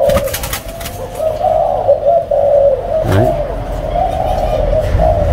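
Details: Spotted dove from a captive parent breeding pair, its voice described as ringing, drawn-out and warm, calling more often in rainy weather. Low cooing notes rise and fall in short repeated phrases against a continuous hum, with a sharp knock midway.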